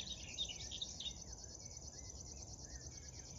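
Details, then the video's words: River warbler singing near Tynaarlo, Netherlands, along the Drentse Aa on a morning of 10 June 2022: a continuous high, dry, rapidly pulsing insect-like buzz, with other birds' warbled phrases mixed in below. "Krekelzanger - River Warbler"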